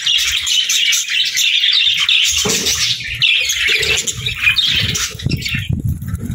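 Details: Several budgerigars warble together in a steady stream of high, twittering chatter. Scattered low knocks and rustles run through the second half.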